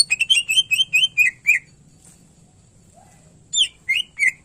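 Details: Cucak ijo (greater green leafbird) sings a rapid run of about eight repeated whistled chips, a pause, then three more sliding notes, all over a faint steady low hum.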